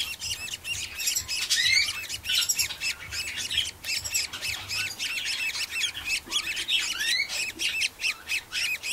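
Budgerigar chicks keep up a steady chorus of high, raspy squawks and chirps. Several birds call at once with barely a pause between calls.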